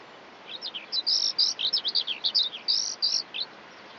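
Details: Eurasian skylark singing: a rapid, unbroken stream of high, thin chirps, buzzy trills and short whistled slurs, about three notes a second, with a quiet background.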